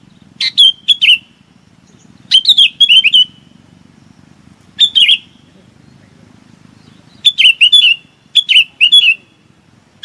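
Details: Bulbul calling its flock: short bright phrases of slurred, warbling notes with clicky onsets, given in bursts of two to four about every two seconds, over a faint low rumble.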